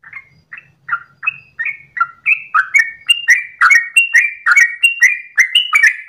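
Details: At dawn, a trucukan (Yellow-vented bulbul) builds from spaced whistled chirps into a fast, dense run of liquid bubbling notes. The steady ropel delivery has a faint low hum underneath.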